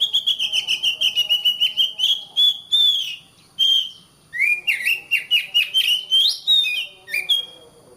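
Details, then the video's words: Oriental magpie-robin song used as a training recording so caged birds sing more often: loud, varied whistled phrases, rapid stuttering note series sliding and rising, short pauses between bursts, quiet background. "Suara Kacer, masteran suara kacer biar rajin bunyi!"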